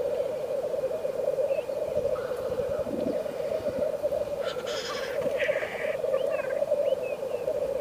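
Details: Black grouse calling in a frost-covered landscape, a dense rolling bubbling without pause, broken by sharp hissing bursts partway through and a few faint chirps.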